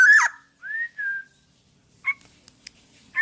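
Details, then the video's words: Black-naped oriole singing loudly, kept as a tutor for other birds: a loud falling slurred whistle, then two smooth fluty whistles, a pause, and a short burst of whistled notes near the end. "Burung Kepodang Podang gacor buat masteran"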